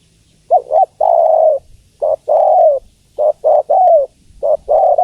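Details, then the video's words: Female spotted dove calling for the male, delivering quick series of hoarse coos, short clipped notes alternating with longer descending coos at a brisk pace. "Suara Tekukur Betina Memanggil Jantan"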